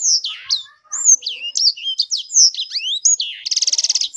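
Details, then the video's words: Hobby songbird known as sanger delivering rapid, high chirps and slurred whistles that tumble up and down in pitch, ending with a rattling, evenly pulsed trill. "Burung sanger beneran sangar suara nya"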